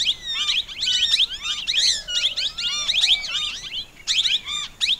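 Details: Several plum-headed parakeets chattering in fast overlapping bursts of shrill, rising and falling squeaks, pausing briefly about two-thirds of the way through before resuming.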